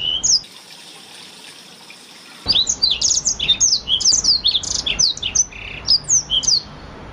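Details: A Blackthroat, played as a master song for canaries, gives a short whistle, falls silent for two seconds, then bursts into a long, fast run of high twittering and slurred notes.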